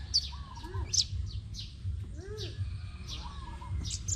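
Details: Competition singing by a Crimson sunbird from Tân Phú district, Đồng Nai: bright, piercing high notes repeated roughly every half second, each dropping quickly, while softer arched lower whistles and a low background rumble continue.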